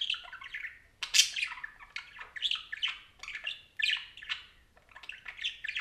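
A parakeet chatters on and off in busy, scratchy bursts of warbles, squeaks and clicks, with brief pauses between phrases, in a quiet room.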